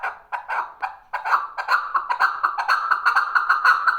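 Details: Male chukar partridge giving a harsh, clucking chatter of rapid repeated notes that builds from spaced chuks into a fast continuous rhythmic series.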